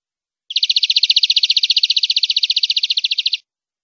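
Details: Clean tutor recording of European greenfinch song for training caged birds: a long, even trill of about thirty-five rapid, identical notes held for nearly three seconds at a steady pitch, with no other sounds.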